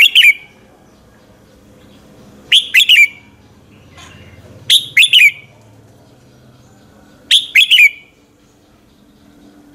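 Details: Morning competition song of a red-whiskered bulbul, used as a lure to get other bulbuls singing: short, loud phrases of three or four sharp slurred whistles, repeated four times at irregular gaps of about two to three seconds.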